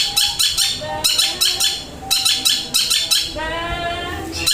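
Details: Long-tailed shrike, locally called cendet, delivering a flowing stream of song material ('materi mengalir'). Loud, rich, harsh notes come in rapid clustered bursts about twice a second, then a buzzy trilled run. Sounds like a small indoor room.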